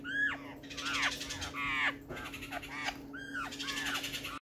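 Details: Recorded 12 June 2020, a black-faced laughingthrush utters a run of grating, nasal, falling calls, some with a sharp upward inflection, closely spaced over a faint steady hum.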